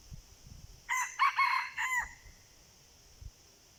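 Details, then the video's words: Crow of a red junglefowl during decoying of wild junglefowl: four rough, loud syllables in quick succession ending in a short tail, with soft low thumps before and after. "ต่อไก่ป่า ไก่เถื่อน ( ຕ່ໍໄກ່ປ່າ ໄກ່ເຖື່ອນ )"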